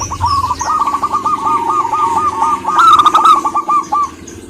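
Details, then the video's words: Zebra dove of a local strain, a female calling a male: continuous rapid cooing notes in an uneven rhythm, joined by a second, brighter dove series in the middle, with a soft hum underneath. "burung perkutut gacor betina memanggil jantan ini"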